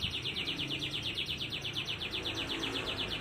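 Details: Canary delivering a fast, even trill of short repeated notes, about eight per second, as a master song to get lazy canaries singing; steady background hiss.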